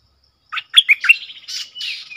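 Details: Red-whiskered bulbul song fragment: a few sharp whistled notes followed by a softer, buzzy, drawn-out warble that fades into a thin trailing whistle.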